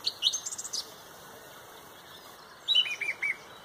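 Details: Pontrobert dawn chorus at sunrise led by a song thrush: a rapid high chattering run of notes, a two-second pause, then a burst of four bright descending whistles.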